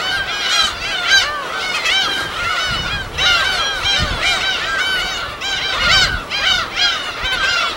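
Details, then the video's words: Field recording at a wild gull colony on an uninhabited West Sea island: many gulls call in a dense, continuous chorus of harsh, mewing cries over a low rumble of waves. "파도소리와 갈매기소리"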